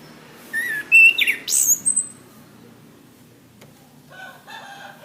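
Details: Orange-headed thrush song used as a master recording for training cage birds: a rapid phrase of clear whistled notes with sharp high, rising slurs, then quiet. A softer run of notes follows near the end.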